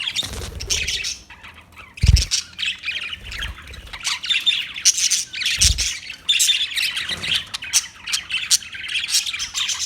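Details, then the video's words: Budgerigar warbling and chirping in long scratchy phrases of squeaks and chatters, pausing briefly, while a few low bumps sound behind. "Beautiful Budgie Beautiful birds Chirping Sounds"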